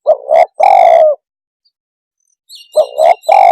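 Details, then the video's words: Tekukur, or spotted dove, calling in a way said to agitate other birds: a phrase of two short coos and a long husky note, a pause, then the phrase starting again with faint high chirps behind. "Suara kicau Burung TEKUKUR cepat membuat Emosi burung - TEKUKUR鸟的声音"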